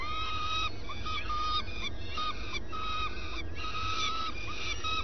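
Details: Common swift at the nest in early morning, with adults swapping places: several harsh, nasal, drawn-out screeching notes, some in quick pairs, over a steady low hum.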